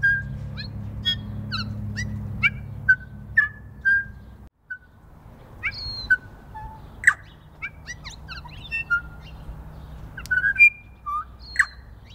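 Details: New Zealand bellbirds feeding in snow on the first day of spring. Scattered short, clear, whistled notes and quick chirps at varied pitches, sometimes in brief bursts, over a faint low hum.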